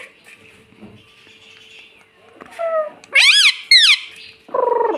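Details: Talking pet ringneck parrot saying 'mummy' after a person says it: a short tonal note, then two loud, arched, harmonic squawks in quick succession, and a final buzzy, wavering note. Faint voices and background noise are audible earlier.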